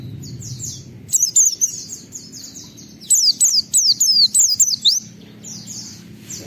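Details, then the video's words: Oriental white-eye song meant to stir other white-eyes to sing: soft high twittering first, then two loud bursts of sharp, very high, falling whistles in quick succession. "Pleci Gacor MUNTAHKAN Isian Memancing Semua Pleci Ikut Gacor"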